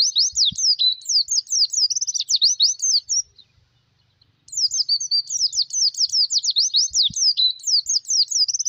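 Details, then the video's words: Pleci, the oriental white-eye, singing a song meant to attract wild birds and to train caged birds. Quick high chattering phrases run for about three seconds, stop briefly, then return just as fast and thin. A few soft low knocks are heard. "Suara pikat pleci masteran untuk pemikat dan pancingan burung sangkar || pleci masteran!!!"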